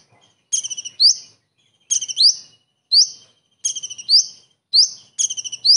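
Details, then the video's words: Common iora delivering its kingfisher-copying material, known as tengkek udang: short bursts of fast, ticking high notes, each followed by one or two sharp upward-sweeping whistles, spaced with pauses of about a second. "KONIN ISTIMEWA ISIAN TENGKEK UDANG"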